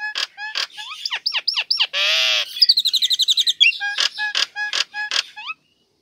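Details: A female Nias hill myna calls to the male, a recording meant as a lure for mynas that have stopped singing. It gives loud whistles, sharp chirps, a harsh rasping burst and rapid squeaky notes, about three per second.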